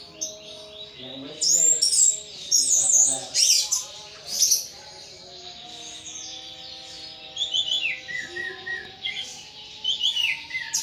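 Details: Pet thrush in a cage in Indonesia in full, nonstop song: loud, rich, varied high whistles and rapid twittering phrases early on, then a run of softer descending slurred notes, with faint background tones.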